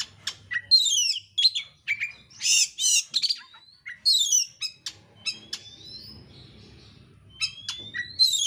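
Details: Kacer, the oriental magpie-robin, singing a dense, rapid, insistent lure song meant to provoke a bird into singing; mixed sweet whistles, buzzy downslurs and harsh bursts, pausing midway before long rising whistles, faint hum underneath.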